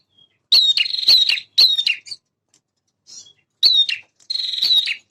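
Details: Male bar-winged prinia in full song, used to stir other birds into responding: short, high, buzzy bursts, each opening with a sharp falling whistle and then a rapid chattering trill, in four phrases separated by brief pauses.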